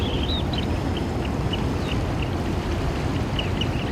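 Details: Wild Eurasian oystercatchers calling: short high piping notes repeated several times a second in an uneven run, with a steady low rumble of water and wind underneath.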